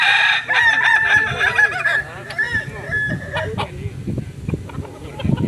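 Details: Kukuak Balenggek cockerel, native breed from Solok, West Sumatra: an extended tiered crow of many quick wavering syllables running on for several seconds, with low clucking and background noise near the end.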